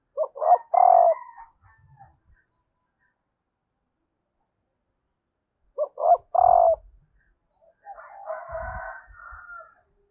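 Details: Female spotted dove calling to stimulate males, known in Vietnam as cu gáy mái kích trống: two loud hollow coos about six seconds apart, each a short note, a second note and a long held note, followed by a rougher call.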